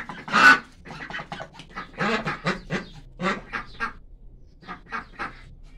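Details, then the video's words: Several frightened white Pekin ducks, domestic ducks raised at home, quack loudly and rapidly with about fifteen harsh, nasal calls in under six seconds, overlapping at first and then thinning out, while running. "Frightened white ducks and duck sound effect"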